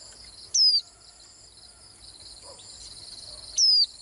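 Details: Swinhoe's white-eye giving two brief, high, thin descending whistled notes about three seconds apart, over a steady high background hiss.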